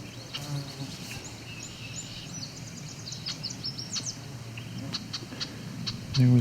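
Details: An annoyed female Red-winged Blackbird gives short, sharp, high chips in a loose repeated series, over low rumble and a man's voice; field-to-cattail-swamp edge near Cape Chin North, Ontario, Canada, July 17, 2019.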